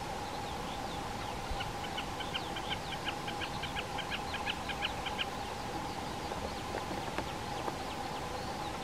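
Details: Common snipe in a peat bog at 1420 m in the Krkonoše mountains, calling with a long, quickening series of dry ticking notes in the middle of the recording. Scattered thin whistles of other birds and a steady droning noise are also heard.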